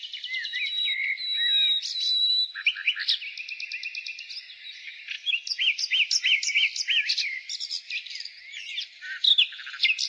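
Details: Spring nightingale in full song: a sustained whistle and trills, a rapid buzzy rattle, then a long sequence of varied repeated chirping phrases, loud and busy, with faint twittering behind.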